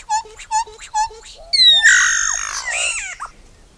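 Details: Solitary black cacique, locally called iraúna-de-bico-branco, bauá or boé: three short evenly spaced nasal notes with a hollow tone, then a loud harsh rasping squawk that slides and breaks into a descending, wavering whine before fading.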